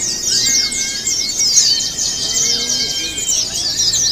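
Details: Short burst of Javan white-eye chorus, intensely high and buzzy chatter from numerous birds, with faint level whistles below.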